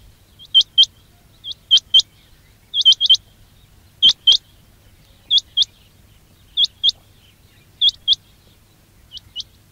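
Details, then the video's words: Quail call used as a lure for trapping: sharp, high, upswept whistled notes, mostly in pairs or triplets, repeated in short bursts about a second apart against a quiet background. "quail batair ki awaz"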